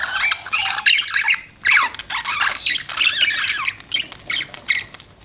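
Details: Pet budgerigars give close, loud chirps: rapid chattering warble of squeaky, buzzy notes in short bursts separated by brief gaps.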